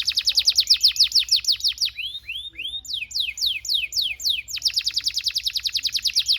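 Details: Canary singing, a tutor recording for young canaries to learn song: a fast series of high downslurred notes, then slower arching whistles, then another quick run of repeated notes.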